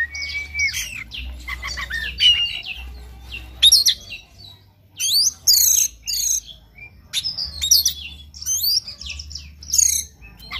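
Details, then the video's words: Oriental magpie-robin morning song for stimulating a bird to sing: a busy, varied run of loud whistles, rapid trills and chattering bursts, phrases tumbling one after another with brief gaps. "PANCINGAN KACER PAGI HARI AGAR NGOTOT NGEPLAY BONGKAR ISIAN"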